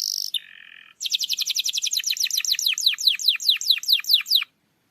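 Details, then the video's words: Canary song aimed at stirring a non-singing canary: a short high buzz and lower rattle, then a long steady series of quick descending whistled notes. "PANCINGAN KENARI MALAS BUNYI"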